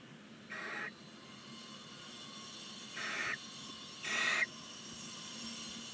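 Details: Nineteen-day-old Barn owl chicks, nine together in a chimney-mounted nest box at Ságvár, Hungary, give three separate rasping hisses of begging, each about half a second long, over a steady low hum.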